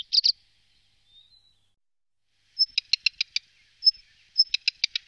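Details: Black redstart song in the Wittlich valley, 2018: a thin high whistle, then a quick dry crackle of five or six scratchy ticks, repeated twice in a quiet setting.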